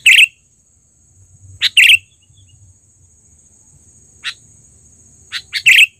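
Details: Loud, trained sooty-headed bulbul used for luring: a bright bubbling phrase, a pause, another chirp-and-bubble phrase, then long quiet before a few sharp chirps and a final bubbly burst, over a faint high hum.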